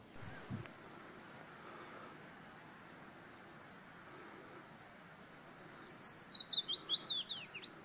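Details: Willow warbler singing in Auld Haa Garden on Fair Isle. After several quiet seconds comes one sweet, fast, high phrase of about a dozen slurred notes that cascade gently downward in pitch and fade at the end.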